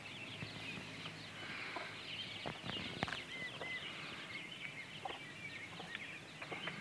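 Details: Mixed-breed Partridge Cochin x Barred Rock chicks, 20 days old, on a walk with the mother hen, keep up a chorus of high, short peeps and cheeps, with scattered clicks and taps of movement.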